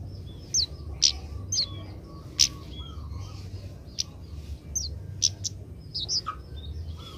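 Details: Young Oriental magpie-robin learning to sing: scattered sharp high chirps and short whistled notes at irregular intervals, with a faint lower warble, over a steady low hum.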